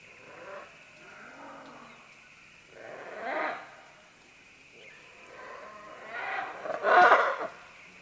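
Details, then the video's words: Green-winged macaws, several birds calling as they descend along vines, heard from medium close range: scattered harsh, raspy squawks, with a louder burst near three seconds and a loud grating call near the end over a steady background hiss. "Green-Winged Macaw. MCU - MD Calls From Several As They Descend Along Vines To"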